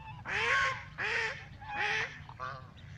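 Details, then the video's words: Ducks recorded on a mobile phone during a walk, giving loud nasal honking calls with arched harmonics, four calls spaced roughly every 0.7 seconds, the last softer, over low background rumble. "Beautiful Ducks, Sounds & Walking"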